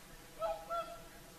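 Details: Close whooper swan calling in the evening at sunset on the Lake Saimaa shore, Finland: two quick trumpet-like notes in rapid succession, the second slightly higher and more drawn out.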